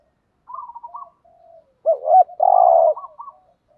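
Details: Decoy spotted dove used to attract wild doves: soft broken coos lead into one loud phrase of a hiccupping double note and a long rolling burr, fading into quiet trailing notes.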